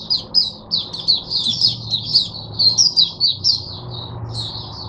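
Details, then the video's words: A caged oriental white-eye serving as a teacher bird for other white-eyes, 22 January 2022, sings a quick sequence of high, slurred chirping notes, several per second, with low hum behind. "Mata Puteh Diva Sunday buka sing teacher bird for my other mata putehs"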